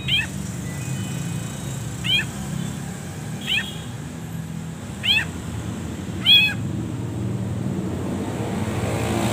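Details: Long-tailed shrike masteran recording used as a lure for other birds: five separate sharp, slurred descending calls spaced by long pauses, the last one louder, above a low background hum.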